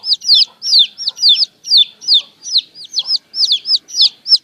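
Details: Baby chickens peeping loudly and close in the morning, sharp descending notes in rapid twos about every half second against an otherwise quiet background.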